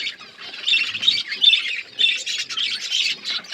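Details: Budgerigar colony with growing chicks: continuous busy chirping and scratchy warbling from several birds overlapping without pause.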